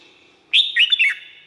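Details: Red-whiskered bulbul in Thailand, song for training or stimulating caged birds: one short, loud, bubbling phrase of quick whistled notes rising and falling, with a ringing tail.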